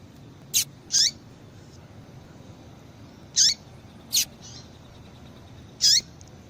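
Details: Female Double-collared Seedeater calling often, used by breeders to prompt male song; sharp high chirps, some doubled, with falling lower traces and softer buzzy notes, repeated every second or two.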